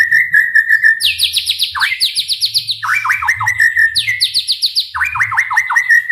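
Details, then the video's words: A white-rumped shama sings fast and continuously to provoke other shamas into song: a long level whistle, then repeated cascades of quick high notes dropping into rolling trills, several times over. "MURAIBATU gacor dor full TEMBAKAN ampuh untuk memancing EMOSI murai cepat bunyi | shama bird"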